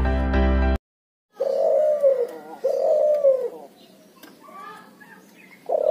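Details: Cuhu, a hybrid of Barbary dove and spotted dove, cooing loudly: after a brief burst of music and a short pause, two drawn-out, slightly falling mid-pitched coos follow, with softer murmuring and a last coo starting at the end.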